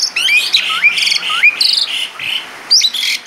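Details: Vigorous Asian pied starling song, rich in fill-in phrases: looping rising whistles alternate with harsh buzzy bursts and squeaky trills, each phrase under half a second, delivered in quick succession.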